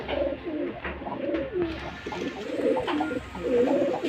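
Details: Pigeons, two females quarrelling over one male, give low throaty rolling coos that swell and fall repeatedly, overlapping one another, over a steady background hum.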